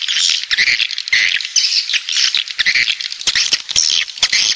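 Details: Swiftlets of a coastal type from the south in a busy chorus of shrill, buzzy chirps, overlapping squeaks and quick trills, with frequent dry clicks.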